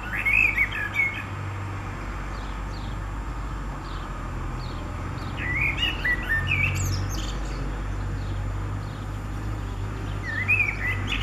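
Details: Common blackbird in song on 29 April 2019, spring: mellow whistled phrases with high scratchy twitters repeat roughly every five seconds, over a persistent low rumbling hum.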